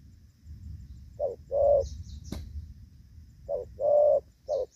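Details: Decoy spotted dove in a rainy-season trapping session, 23 July 2024, cooing in the gù vấp style with a short note and a longer, fuller note. Two such pairs are heard, with a sharp click between them and faint high chirps.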